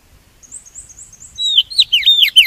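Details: Oriental magpie-robin decoy song, used to lure and trap birds and to prompt others to sing: a run of thin, high repeated chirps followed by louder, swooping whistled phrases that rise and fall quickly.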